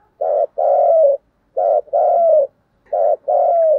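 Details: Spotted dove 'thúc gù' call in 'giọng thổ' voice, played to lure wild doves. Three rich, buzzy double coos, each a clipped note then a longer note sliding down. They repeat about every 1.4 seconds.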